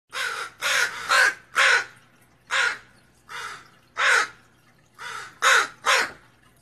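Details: Northwestern crow giving alarm caws at a raccoon: about ten harsh, hoarse caws in irregular bursts, several in quick pairs or triplets, with brief pauses between groups.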